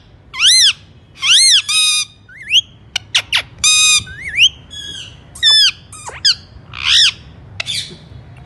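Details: Alexandrine parakeet squawking repeatedly: loud arched screeches alternate with short sharp clicks and upward-sweeping whistles, about a dozen calls in quick succession.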